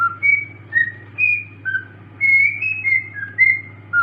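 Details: Pet cockatiel singing: a string of clear, slurred whistled notes that rise and fall, with a low hum behind.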